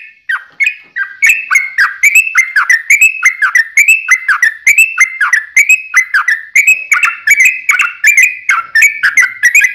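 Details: Sooty-headed bulbul in long continuous song, used to provoke other bulbuls into singing: rapid bubbly whistled phrases, each a sharp click-like onset sliding into a warbled note, repeated several times a second without pause.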